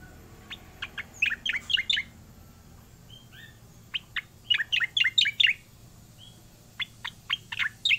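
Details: Rolling song of an actively singing Oriental magpie-robin. Clusters of bright, quick whistled notes and chirps come in runs of several notes, separated by brief silences.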